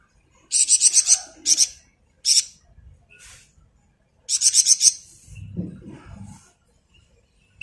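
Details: Flamboyan bird singing gacor ngebren for songbird masteran: clusters of shrill rapid trilled notes and short high chips, with a soft low rustling or thumping sound partway through.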